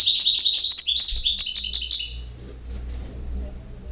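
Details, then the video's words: European goldfinch singing campero: an energetic rapid series of sparkling, repeated chirping notes lasting about two seconds, fading into quiet with a faint thin whistle. "El Jilguero BiH 18"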